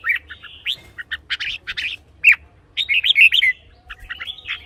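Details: Song of a red-whiskered bulbul, used as decoy sound or to get caged birds excited: quick runs of chirpy, slurred notes in busy bursts, a sharp downslurred note midway, over a low background hum.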